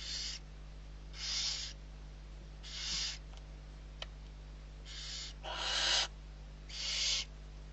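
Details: Six young barn owls being fed in Riet Vell reserve, Ebro Delta, Spain, on 21 November 2023 give harsh, breathy hisses about half a second long, roughly every second in an uneven rhythm over a low steady hum.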